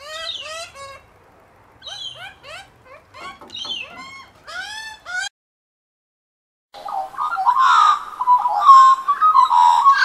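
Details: Australian magpies of one family feeding on unsalted peanuts in a Melbourne garden; a string of short curved squawks, a brief pause, then a loud, dense warbling chorus of mixed whistled notes.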